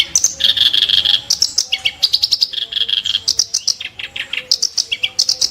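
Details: Clamorous reed warbler pouring out harsh, sharp song: grating churrs mixed with high clipped notes, repeated several times a second without a break.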